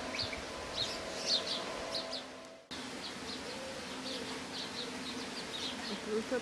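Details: European bee-eaters giving brief rolling, trilled calls at shifting pitches, scattered irregularly across the recording, with a faint background hum and a sudden cut partway through.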